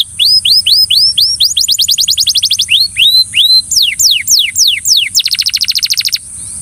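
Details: Belgian canary singing to coax a companion: arched rising slurs, a quick trill, more rising notes, slow repeated descending whistles, ending with a rapid buzzy rattle.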